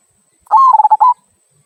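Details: Single "kung" song phrase from a local zebra dove, a song used to prompt other birds to sing: a slightly rising held coo, then four quick throbbing notes and a final sustained note, lasting under a second.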